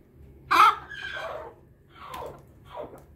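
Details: Bangkok hen crowing in a laughing style after drinking: a loud, harsh, harmonic call of about one second that falls in pitch, followed by two shorter fading notes, over a low steady hum.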